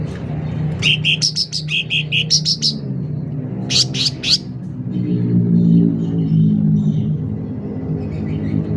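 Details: Sooty-headed bulbul singing loud and lively: quick bursts of bright alternating notes during the first four seconds, then the song stops while a strong low rumble, like a vehicle, fills the rest.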